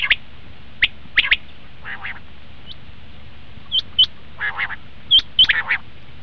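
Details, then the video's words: Common quail calling for quail hunting: brisk high triplets of sharp notes, then pauses, then softer buzzy notes and more clipped high pairs over a steady low hum. "batair ki awaz"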